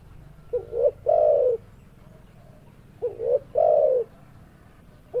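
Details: Spotted dove giving its coo phrase twice, each a pair of brief rising hoots running into a drawn-out, slightly falling coo, with pauses of about a second and a half between phrases and a faint low hum behind.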